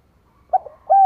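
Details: Spotted dove lure call for provoking wild doves (kích bổi). A brief soft note, a low wavering murmur, then a sustained, even coo that drops at its end.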